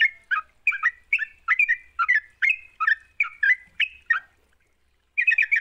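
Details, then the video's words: Sooty-headed bulbul lure song aimed at a bird that rarely sings: a steady string of liquid, two-note whistled phrases for four seconds, a silence, then a fresh burst of quick notes. "Pancingan trucuk GACOR, sekali dengar trucukanmu gak bisa diam."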